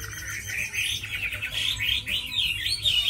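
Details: Tame caged Chinese hwamei, described as a good fighter and fine singer, giving a loud run of rich warbled phrases that rise and fall rapidly, with a steady low hum underneath.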